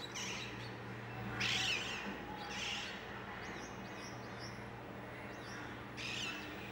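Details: Rose-ringed parakeets flying over central Mumbai, India, 2019, give three harsh, grating screeches a second or so apart, with thinner high whistles between, over a steady low hum.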